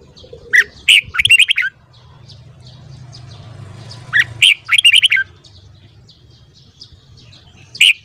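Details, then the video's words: Red-whiskered bulbul singing in the morning, used to train other birds' voices: two bursts of quick, bright warbled phrases, each of about six sharp notes, separated by a few seconds of quiet with a low background hum. "Luyện giọng chào mào hót sáng .kích giọng chào mào hót hay"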